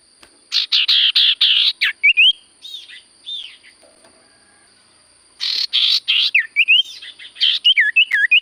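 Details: Chatty Common Iora song: bursts of harsh buzzy notes alternate with clear rising and falling whistles, a quiet gap mid-way, then more buzzes and looping whistles; a steady high-pitched whine runs throughout.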